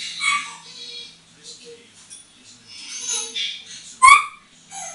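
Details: Eight-year-old hand-trained African grey parrot, female, perched on a bathroom towel rail during moult; soft murmured chatter followed by a sharp rising whistle with a click, then quieter warbling.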